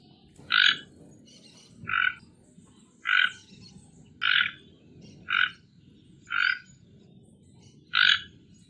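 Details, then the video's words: Toco toucan giving harsh, croaking grunts, seven in a row, roughly one every second and a bit, over a low background rumble. "Tucano Toco Canto"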